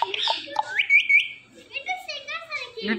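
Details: Talkative green parrot kept as a pet, giving a jumble of short rising whistled notes and chattering, speech-like sounds, with a slurred tonal phrase near the middle and a few sharper chirps.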